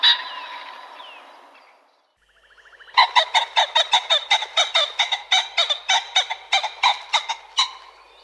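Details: Common pheasant (Phasianus colchicus) call: a drawn-out harsh note, then a fast run of loud, croaking clucks, about three per second, for five seconds.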